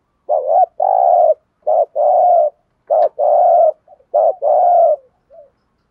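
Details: Spotted dove giving thúc gù cooing, used to stimulate and train decoy birds for luring: three paired phrases, a short clipped coo followed by a longer steady low coo, then a faint soft note at the end.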